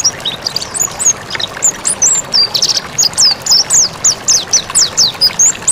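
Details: Mountain white-eye in lively song for training birds. Bright, high chirps and slurred whistles come rapidly, about four per second, many sliding steeply downward, against a faint steady hiss.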